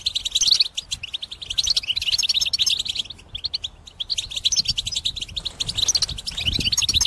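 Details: Vigorous song of a caged European goldfinch, meant for trapping: long run of rapid, bright chirping notes, a short lull, then another dense twittering stretch.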